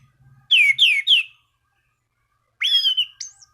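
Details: Orange-banded thrush song used to call rivals and get other thrushes singing, with three loud descending whistled slurs in quick succession, a pause, then a longer level whistle and a high thin note, over faint low rumble.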